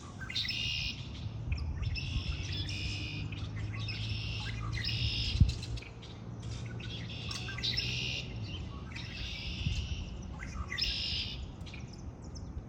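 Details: Birds singing in spring repeat about nine short, bright, buzzy trill bursts, each under a second, at a steady pace over a low humming background with one sharp knock.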